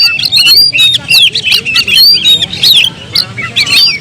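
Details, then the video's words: Kacer, the Oriental magpie-robin, pouring out quick bright whistles, upslurred and downslurred notes mixed with scratchy chips and clicks in a dense, continuous phrase. "suara kicau burung Kacer"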